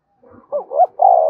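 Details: One full spotted dove coo phrase in the 'gáy gọi' style: soft opening murmurs, two quick rising notes, then a long, steady, mellow coo.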